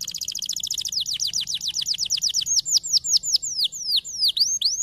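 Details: Canary song used to stimulate other canaries to sing: rapid buzzy trill of repeated notes, then a run of loud downward-sweeping whistled notes about three per second, ending in longer descending slurs; no other sounds.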